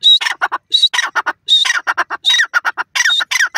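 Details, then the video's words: Grey francolin giving a rapid, harsh series of loud scratchy syllables, some phrases led by a thin whistled note, tumbling on almost without pause in uneven bursts. "dakhni teetar ki dangrous voice"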